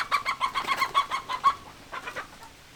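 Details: Chickens clucking: a quick run of about ten rhythmic throaty clucks, then a short pause and a few softer clucks over a faint background hiss.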